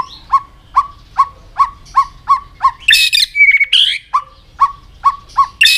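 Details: White-rumped shama training song for a bird learning many voices: a series of short, clipped notes with a rising tick, roughly three per second, broken in the middle by a loud, harsh, squawky burst, then the clipped notes resume.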